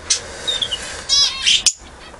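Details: A newly acquired pair of lovebirds, just let into an aviary in March, give sharp, high clicks and a short buzzy chatter, with a thin falling whistle between, all packed into about two seconds.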